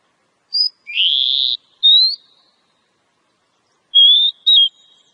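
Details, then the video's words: Wild Oriental magpie-robin with the ngobra singing style: a high short note, then a harsh buzzy strain and a rising whistle; after a pause of nearly two seconds come two more whistled notes. "Pancingan suara burung kacer alam"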